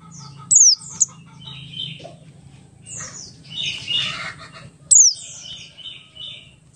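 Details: Oriental white-eye of the Buxtoni type in ngalas song, used to coax other white-eyes into singing: two sharp descending whistles early on, a busy burst of scratchy chatter in the middle, then another falling whistle, over a faint hum.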